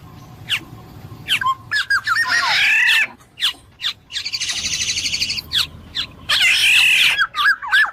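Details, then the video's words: Black-naped oriole mixing clear, bending whistles with buzzy, rasping bursts, including a long grating stretch midway, along with quick, sharp chip notes throughout. "suara burung kepodang emas jernih"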